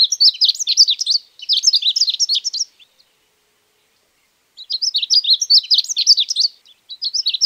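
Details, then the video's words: Uruguayan azulito, the ultramarine grosbeak, delivering fast jumbled warbling bursts of high, rich notes in phrases around one to two seconds long, broken by a silent gap of nearly two seconds. "Canto Del Pájaro Azulito Uruguayo"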